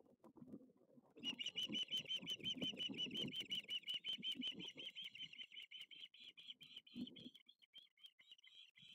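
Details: Young osprey begging at the Lipka nest, 6 August 2023, as a second fish is brought for the second youngster. A fast, steady series of high piping chirps, several per second, over low rustling and tearing sounds.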